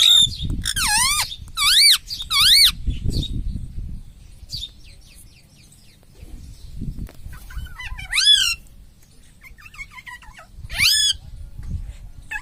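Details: Pet parrot, said to talk like a human and say "mummy", gives a run of loud, arched, harmonic squawks in bursts, with rustling and low thumps between them.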